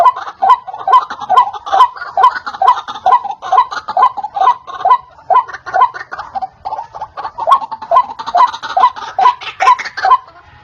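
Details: White-breasted waterhen, recording used as a trapping lure, giving a steady series of harsh croaks, each ending in a short rising squeak, repeated about twice a second for the whole stretch.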